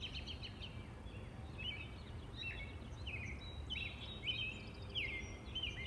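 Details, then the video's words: Robin singing outdoors: a steady series of short, clear chirped notes, many sliding down, about one and a half per second over a constant low background rumble. "The peaceful sounds of the Robin bird"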